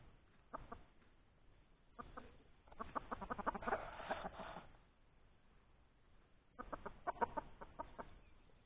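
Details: Hen laying an egg outdoors in the open, giving bursts of rapid, repeated clucks in runs of a second or two, separated by quieter pauses, with a soft background hiss.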